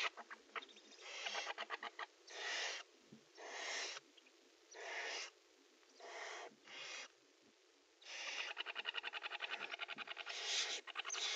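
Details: Nest-box barn owls during prey transfer and mating give a run of short breathy hisses about once a second, then a fast ticking, pulsed rasp that swells toward the end.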